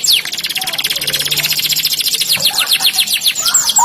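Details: Canary song made of a fast, continuous high trill of rapidly repeated notes with brief descending slurs, over a faint low hum.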